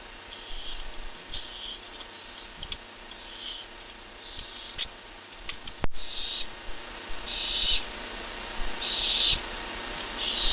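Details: At a Barn owl nest camera, strange sounds: a long run of high, breathy hisses, short at first, then longer and louder after a sharp click midway, over a steady rumbling background.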